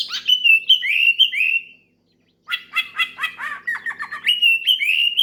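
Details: Oriental magpie-robin singing loudly to call a rival and prompt other birds to sing: rich whistled phrases sliding down and gliding, then after a short pause a rapid run of harsh chattering notes leading into clear whistles.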